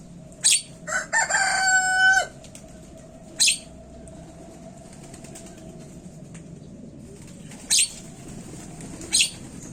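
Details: Javan myna sound meant to prompt birds into calling: a sustained nasal, harmonic whistle lasting about a second, followed by scattered short rasping bursts.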